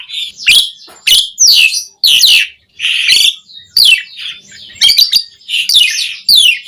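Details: Caged-bird training song of an Asian pied starling: loud, grating, buzzy squawks and chattering bursts with a few whistled slurs, separated by brief gaps.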